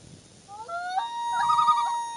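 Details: A common loon with its chick on the morning of June 2, 2015, gives clear, mellow notes that climb in steps, then a steady tone broken by a brief wavering, quavering passage. Faint background hiss.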